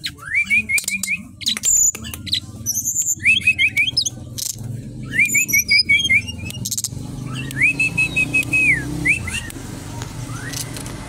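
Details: Caged brown-chested jungle flycatcher from Bali in full song at a bird kiosk: repeated bursts of fast, looping whistled notes and a longer sustained whistle, with high chips, over faint traffic rumble.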